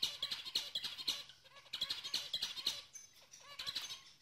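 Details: Zebra finches, shown as signs of pairing/mating, give short, nasal, high beeping notes in quick irregular bursts, roughly two a second, with several birds calling over one another.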